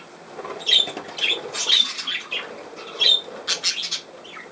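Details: Chattering budgerigar, 17 November 2024: clusters of sharp high chirps and warbled squeaks arrive in irregular bursts roughly every half second to second, with quieter gaps between.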